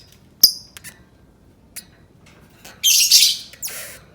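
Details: Lovebird sound for stimulating other lovebirds to sing: a few isolated sharp squeaks and faint chips, then a loud, hissing, rasping screech lasting about a second.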